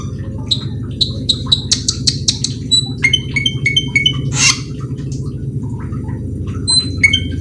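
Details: Cucak keling calling as a lure to make other cucak keling sing: rapid clipped high notes in quick runs, a brief buzzy burst mid-way, over constant low background hum.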